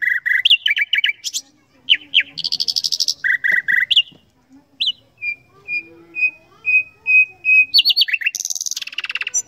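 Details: Common nightingale delivering varied phrases: fast stuttering chips, rasping buzzy bursts, a row of evenly spaced soft whistled notes, then harsh trills.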